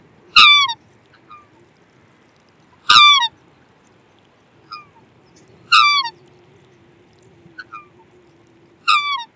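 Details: Black swan sounding a series of harsh, harmonic, slightly falling honks about every three seconds, with quieter short notes in between and a low steady hum.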